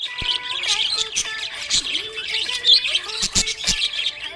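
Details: Happy budgerigar chirping: quick, irregular bright chirps and squeaky warbled notes, with steady tonal music playing in the background.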